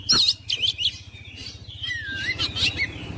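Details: Brief oriental magpie-robin song meant to wake lazy, silent magpie-robins: harsh high chatter followed by a smooth whistle that slides down then up, over a faint low pulsing hum.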